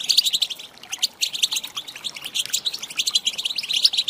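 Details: Calls of a female European goldfinch used to excite males: a fast, continuous stream of thin high chirps and twitters, bright and busy throughout.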